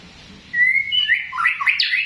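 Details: White-rumped shama, tompel type, cough call: a drawn whistle rising slightly, then a rough buzzy flurry of climbing notes after half a second of near silence.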